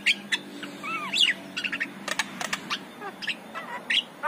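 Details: Morning song of a Javan myna, used to lure other mynas: curved whistled notes, sharp clicks and squeaky chatter delivered in a fast, varied jumble.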